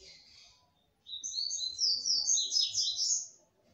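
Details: A captive female red-cowled cardinal, singing a lot to stimulate a male, gives a bright, high warbled phrase of quick slurred notes lasting about two seconds, after a faint opening note.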